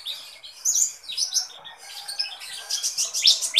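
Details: Kolibri ninja sunbird singing energetically: fast run of high, sharp chirps and squeaks, rising to bright downward-sweeping notes toward the end.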